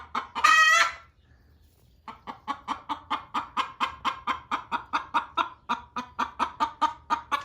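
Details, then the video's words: Loud hen in a barn where two hens laid their eggs, pressing the laying hen to leave the nest. A harsh squawk opens, a second of quiet follows, then a long string of evenly spaced, punchy clucks. "Chicken Laying Egg Sound - Loud Hen Noises"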